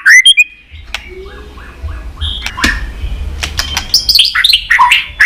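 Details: Pet white-rumped shama in Vietnam, song to encourage other shamas: loud opening whistle, a soft series of short low notes, clicks, then varied warbled phrases rising again at the end.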